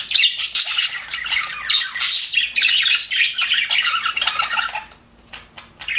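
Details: Happy budgerigars in an aviary chirp and warble in rapid, overlapping bursts, fading to near silence for a moment near the end before a few final squeaks.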